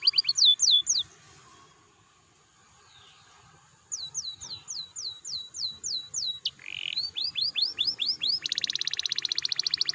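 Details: Canary lure song for encouraging other canaries to sing: a short burst of high sweeping notes, a pause, then a steady run of downward-sweeping notes building into a dense rapid trill.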